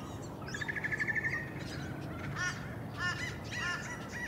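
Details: Australian magpie (Cracticus tibicen), filmed on Queensland's Sunshine Coast in June 2023, gives a quick stuttering trill, then several fluty, harmonic warbled notes and short bending phrases over a low background rumble.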